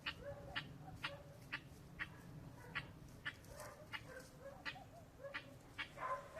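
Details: Young guineafowl, 14 weeks old, give sharp, harsh call notes, repeated about twice a second.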